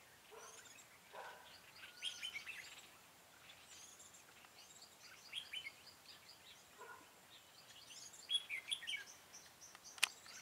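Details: During a trapping session on 4 February 2017, a red-whiskered bulbul acts as a decoy to lure wild birds. Scattered sharp chirps and short warbled phrases come at irregular intervals, with a faint constant hiss behind them.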